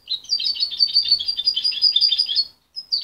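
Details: Young goldfinch hybrid, mother-raised and separated at 23 days, its song still unpolished: dense, rapid, high chattering twitters for about two and a half seconds, a short silence, then one more note.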